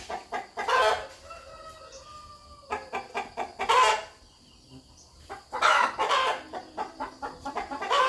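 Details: Rooster communicating in a farmyard: rhythmic series of short clucks with louder rasping bursts, and faint tonal whining notes in the background between the clucks.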